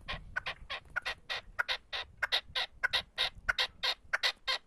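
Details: A male partridge kept as a decoy bird sings while perched on a motorcycle, giving loud, harsh, clipped notes in a steady series of paired bursts, about one and a half per second.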